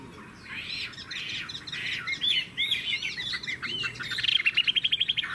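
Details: Vietnamese caged Chinese hwamei in full loud song, mixing arched whistles and scratchy notes before ending in a fast, evenly spaced run of repeated sharp notes.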